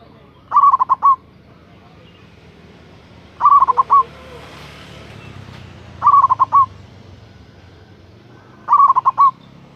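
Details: Local zebra dove in lively, full-voiced song used to lure and call a rival; bursts of rapid, stuttering coos near one pitch, each about half a second, repeating roughly every three seconds over a quiet low background hum.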